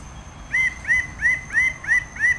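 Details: Red bird-of-paradise, endemic to Raja Ampat in Indonesia, calling six loud nasal notes in quick succession, each sweeping upward then holding steady, spaced about a third of a second apart; a thin high insect-like tone runs throughout.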